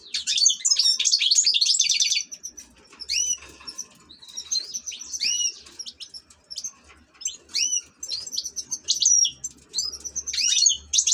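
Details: Kept European goldfinch, an ornamental cage bird, opens with a dense high twitter, then sings a string of clear upslurred whistles and chirps separated by short gaps, ending in another quick burst.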